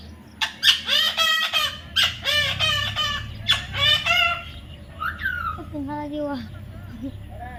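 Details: Baby parrot repeating loud, raspy, nasal squawks about twice a second, then shifting to softer, wavering whistled calls at the end.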